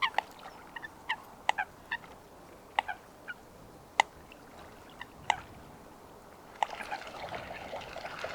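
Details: Coot calling in a natural wetland: abrupt clipped single notes spaced irregularly, sometimes in quick pairs, followed near the end by a rush of broadband noise like splashing or wind.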